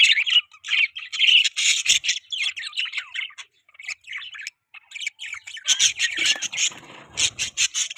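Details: Budgerigars, several birds, giving dense, fast chattering chirps and warbles, with bright twittering notes in quick bursts and brief pauses near the middle.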